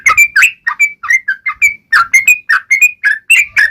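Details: Sharp ngalas tajam song of a yellow-vented bulbul, used to make other bulbuls sing: separate whistled, slurred notes, some rising and some falling, spaced about a quarter second apart.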